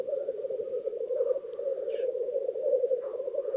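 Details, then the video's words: Black grouse lekking at Krasny Bor with females present on the lek: a steady, dense bubbling drone from the displaying birds fills the clip, broken by a brief higher hissing burst near the two-second mark. "Тетерев. Самки на току. Black Grouse lek."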